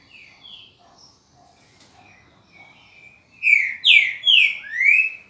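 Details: Green-winged saltator, called the true trinca-ferro, gives soft distant whistled notes and then a loud phrase of four slurred whistles, each slurring down except the last, which sweeps up.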